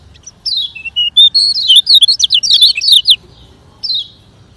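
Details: Kecial kuning, the Lemon-bellied white-eye of Lombok, in a rapid training song for slow birds: thin whistled notes give way to a quick cascade of high zigzag chirps, then a short pause and a final downslurred note.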